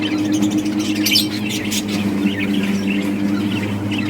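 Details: A breeding group of budgies plays and chirps, producing rapid high warbles and scratchy bursts, densest early on, with a low continuous hum underneath.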